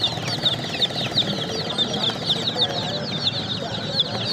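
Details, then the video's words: Baby chicks calling in a busy chorus of piercing, rapidly repeated peeps that pulse in loud bursts about every quarter second, with a faint low rumble behind. "Baby Chicks Chirping sound"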